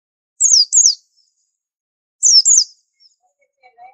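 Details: Two widely spaced couplets of high, thin whistles from a white-eye, each note dropping steeply in pitch. Faint soft chirps close the recording. Presented as a distinctive tutor bird.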